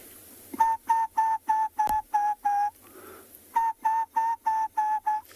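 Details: Acacia pied barbet calling on a morning game drive in South Africa on 11 September 2021: nasal, mid-pitched notes about three per second, in two runs of seven with a short pause between.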